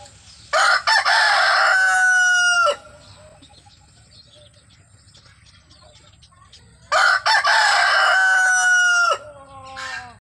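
A rooster crows twice, each a loud, harsh cock-a-doodle-doo lasting about two seconds.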